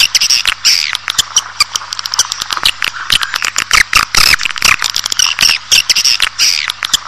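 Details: Swiftlet call recording used to attract colonies into nesting buildings: dense, overlapping chorus of high, buzzy twitters and chirps, with rapid dry clicks throughout and a faint low hum beneath.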